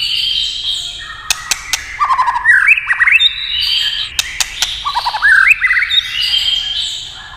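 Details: White-rumped shama song answering clattering tail taps: loud whistled phrases with upward-slurred notes, a brief rapid rattle, and crisp clicks repeated through the recording.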